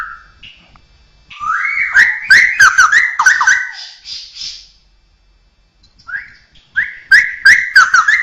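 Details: Straw-headed bulbul (cucakrowo) with a learned repertoire of other birds, cats and humans; a loud run of fast bubbling whistles with sharp clicks, then a pause of about a second and another rapid burst.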